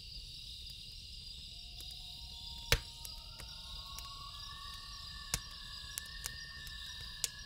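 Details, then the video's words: Loons calling at night beside a lake: several long, drawn-out tonal wails overlap, gliding slowly upward and holding steady. A loud continuous cricket chorus fills the background, with sharp crackles from a campfire. "1 Hour Loon Calls With Campfire Sound"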